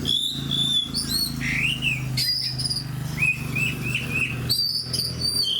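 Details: A fighting oriental magpie-robin sings clear whistled notes and upward-curving slurs broken by short harsh bursts, varied and loud. A prominent low hum continues underneath.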